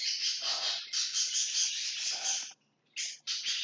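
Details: Lovebirds in their house, trying to get rid of everything inside; continuous harsh, high-pitched chatter in surging bursts, breaking off for about half a second near the end before two more short shrill bursts, with soft scraping underneath.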